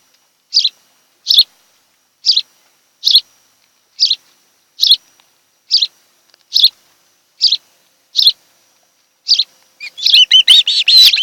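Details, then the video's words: Osprey at its nest on Kent Island, Maryland, recorded by nest camera on a July 2018 afternoon: steady high-pitched chirps roughly once a second for ten seconds, breaking into a rapid, tumbling burst of whistles. "Osprey Nest"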